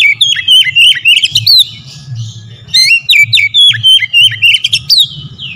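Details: Fast, continuous whistled chatter from an oriental magpie-robin, played as a lure to make birds sing and get worked up; notes swoop and drop steadily over a low background hum.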